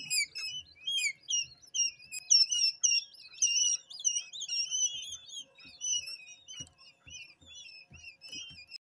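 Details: Quail chicks hatched only hours earlier, wet from the incubator and kept indoors in a brooder. A chorus of shrill wavering peeps runs continuously and thins out toward the end, with faint low bumps and scratching.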